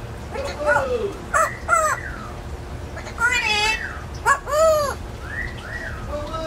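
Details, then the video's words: Pet parrot living in a free-flight indoor aviary chattering in a string of arched, bending harmonic syllables and word-like phrases, some rising then dropping, with brief pauses between bursts. "How about crackers and crows"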